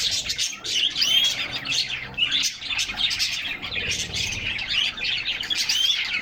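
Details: Caged canaries hopping about and singing together in summer, picked up by a fixed in-cage camera; bright, overlapping high chirps and rolling trills with a few clear upslurred whistles, dense from start to finish.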